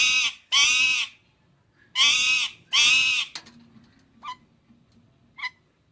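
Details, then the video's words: Indian ringneck parakeet: pairs of loud, grating screeches, four in all, trailed by a couple of short, thin chirps. "Amazing Parrot Chirping Sounds"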